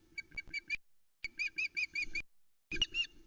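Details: Female osprey on the Loch Arkaig nest, Scotland, on 2 July 2020, fish-calling after the male leaves with a trout she did not take; short bursts of rapid, piping chirps separated by pauses, with a steady low hum from the nest camera.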